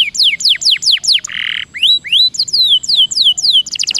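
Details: Canary song for prompting lazy canaries to roll, with repeated falling whistles, a brief harsh raspy note, then upward slurs and descending sweeps closing in a fast rattle.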